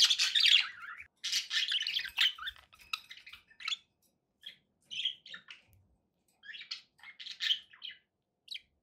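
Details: Pet parakeets chattering in a room: a long run of raspy, buzzy warbling at the start, then shorter scattered chirps and squeaky notes separated by brief silences.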